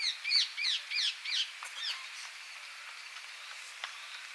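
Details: Rose-ringed parakeet, an introduced species, in Kiyose, Japan, gives five or six harsh, shrill screeches at about three per second, then a few fainter calls trailing off; the recordist wonders whether it is mimicking a brown-eared bulbul.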